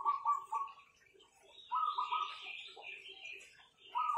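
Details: Perkutut, or zebra dove, kept by an owner, gives short, pulsing, purring coo phrases at the start and end, while a higher, thin, chattering bird call fills the middle stretch.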